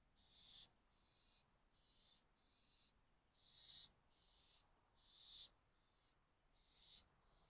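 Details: Barn owls at 2:31 a.m. on 12 May 2024, a parent teasing an owlet with food: harsh, breathy hissing screeches, each about half a second long, repeated in a steady run with a few louder bursts.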